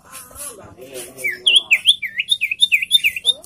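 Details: A caged Sirtu gives a quick run of about ten clear, high, slurred whistles, several dipping then rising, after a low murmur of background voices.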